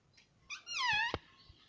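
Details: Indian ringneck parrot kept as a pet gives a single drawn-out, gently descending tonal cry, ending in a sharp click.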